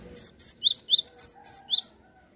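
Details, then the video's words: Java sparrow in lively song meant to spur other birds to sing: eight high chirped notes in quick succession, alternating arched whistles and sharp rising chips, ending after two seconds in near silence. "gelatik gacor cocok penyemangat burung bahan & macet bunyi"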